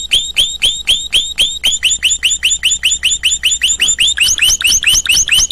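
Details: Canary producing a long even series of upswept chirps, roughly four per second, which climb higher in pitch toward the end of the phrase.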